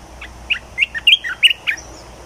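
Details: Caged red-whiskered bulbul singing its newly learned tune, a lively, bouncy sequence of rich whistled notes with upslurs and downslurs, roughly eight notes in two seconds.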